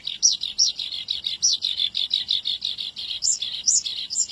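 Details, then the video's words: Javan bush lark in energetic song, used for training other birds: a rapid, continuous stream of high, scratchy chirps and twittering notes, with occasional sharper very high whistled accents, no pauses throughout. "Suara Branjangan Gacor"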